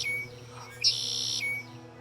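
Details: Red-winged Blackbird calling and flying back to nearby reeds on the Hogeye Nature Trail, The Villages, Florida, in spring 2025: a thin high whistle, a harsh half-second buzzy burst, then the thin whistle again.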